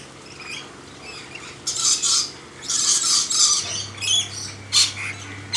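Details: Lorikeets taking food from a hand in a backyard let out loud, grating screeches in three or four bursts after a quieter start, with a constant low hum in the background.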